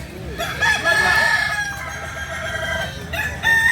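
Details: Native Kukuak Balenggek roosters of Solok, West Sumatra: one long, level crow dominates, trailing into softer overlapping calls, and a new crow begins at the end.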